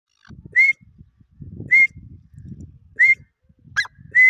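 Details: Grey francolin, known locally as Irani dakhni teetar, giving short, loud, slightly rising whistled notes about every 1.2 seconds. A brief harsh note breaks in near the end, with low rumbling background noise throughout.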